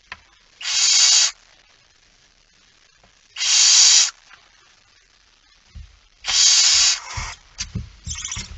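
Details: Male barn owl coming in with a mouse, night of 17 September 2019, 23:55: three loud, breathy screeching hisses about two and a half seconds apart, the last followed by shorter hisses, thumps and scuffling.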